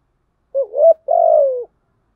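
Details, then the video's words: A spotted dove gives two low, mellow coos, a short wavering note then a longer, smooth, gently falling coo, with no other sounds. "Tiếng Cu Gáy Giọng Hạp BổI ĐỦ BÀI ( GÁY GỌI,THÚC,GÙ )"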